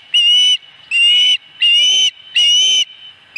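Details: Osprey at the nest during a fish delivery at night: four long, even whistled calls, each about half a second, spaced under a second apart, with faint lower rustling.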